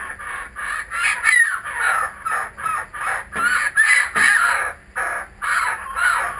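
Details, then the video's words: Kookaburras that have come back call in bold pulsing bursts, roughly two and a half per second, each burst a harsh cackling chuckle, with a short quieter gap near five seconds. "Our Kookaburras are back"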